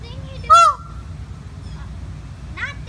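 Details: Peafowl at a zoo making a honking sound: one loud, brief, nasal honk with a slightly falling pitch, followed by a quieter, shorter honk about two seconds later, over low background rumble.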